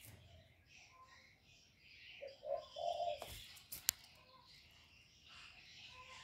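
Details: Spotted dove lure bird stimulating wild doves: a run of three low hollow coos, the last longest, then a sharp knock and click, with other small birds chirping around.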